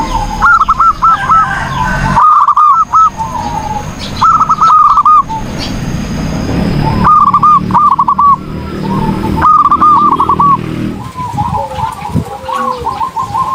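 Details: Zebra dove singing vigorously: short phrases of quick, rolling staccato coos, each burst a rapid string of bouncy notes, repeated after brief pauses over a background of low rumbling noise.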